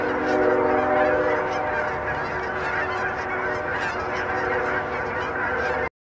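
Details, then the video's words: Thousands of Canada geese on a pond in Hutchinson, Kansas, 25 January 2011, honking at once in a continuous overlapping din of nasal, two-part honks with no break; a bald eagle perched nearby. "Canada geese"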